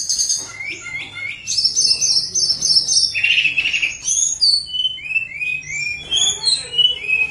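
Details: Flute-like lure song of a tledekan gunung, played to stir idle birds to sing: varied high chirps and whistled phrases, a sustained buzzy segment, then a series of quick descending slurred notes repeated steadily.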